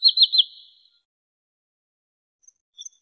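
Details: Wood sandpiper calling, a recording meant as a lure for bird trapping: a quick burst of three high, sharp whistled notes in the first half-second, then near silence with a couple of faint distant chips.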